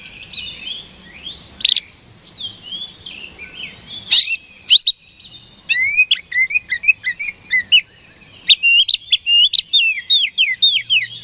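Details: Oriental magpie-robin singing vigorously as a daily lure for rival birds; loose whistles at first, then a long, fast stream of varied chirps and curling whistled notes that grows denser toward the end.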